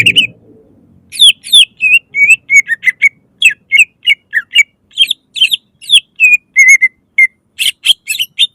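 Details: Loud greater green leafbird song used as a lure so other leafbirds begin singing; after a low rumble at the start, a fast string of whistled slurs and chips, ending in harsh buzzy bursts.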